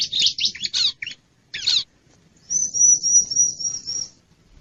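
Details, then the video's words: Bar-winged prinia lure call for attracting wild birds: a quick cluster of scratchy, buzzy chirps, a short burst more, then a long, thin, very high trembling trill. "Suara Pikat Ciblek Liar"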